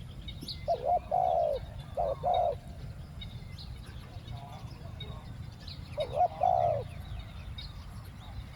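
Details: Spotted dove used as a decoy to lure wild doves, calling in the two-word 'khu-ang' style: three low, mellow two-part coos, a short note then a longer drawn note, spaced irregularly over steady low background rumble.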